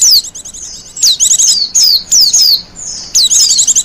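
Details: Japanese white-eye in the wild, sung for luring and as a master song for training, gives high, sharp chirps and quick downward-slurred whistles in short clustered bursts with brief pauses.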